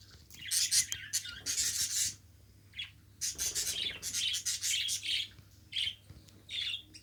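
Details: Pet budgerigar in steady warbling chatter: rapid scratchy chirps and buzzy notes in quick bursts with short pauses, clicks mixed in, lively and continuous for several seconds.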